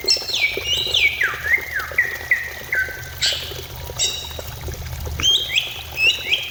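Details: Greater green leafbird song played to stimulate singing: descending cascades of bright whistled notes stepping downward in pitch, a pause with a broad burst, then fresh high rising-and-falling phrases, over low background hum.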